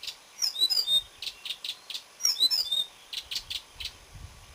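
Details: Marsh warbler song recorded 30 May 2010, with high twittering sweeps followed by clusters of dry, rapid chattering notes, the pattern repeating twice.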